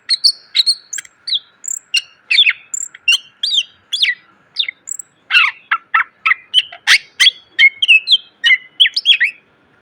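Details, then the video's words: Greater green leafbird training song full of fill phrases, a steady run of loud chips, short whistles and bursts of sharp notes, growing denser and harsher in the second half, over a faint steady hum. "MASTERAN CUCAK IJO SUARA PLONG!!! ..penuh isian.."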